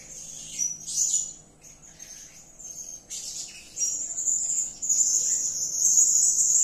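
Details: Piercing, high-pitched chattering of a blue-crowned hanging parrot calling in 'gacor' fashion, uneven bursts building to a sustained, loud shrill trill in the final seconds.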